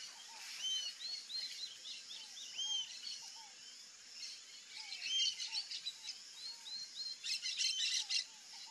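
Rufous-tailed jacamar giving sharp, high, upslurred whistled calls in loose series, over a steady insect hiss and lower down-slurred notes from another bird.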